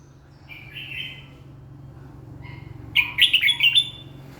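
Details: Morning song of a red-whiskered bulbul: a soft whistled note, then a lively burst of quick, chirpy warbled notes near the end over a low background hum.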